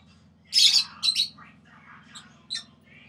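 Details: Six-month-old pet sun conure kept alongside budgies and lovebirds; two loud, harsh broadband squawks in quick succession, then softer scratchy notes and one short sharp squawk near the end, over a low steady hum.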